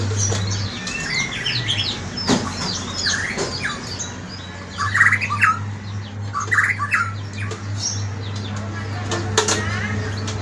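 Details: Morning song of a White-rumped shama: varied whistled phrases, short sweeping notes and trills in irregular bursts, over a steady low electrical hum with clicks and knocks.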